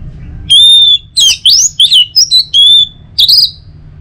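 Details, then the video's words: Singing Orange-headed thrush, the song used as a morning stimulus for other birds: an opening sustained clear whistle, then rapid twisting slurs and short whistled phrases, closing with a brief buzzy note; very clean and close. "Saatnya Buat ANIS MERAH NGEPLONG Gacor dirumah. Pancing dengan suara burung ini baik pagi hari."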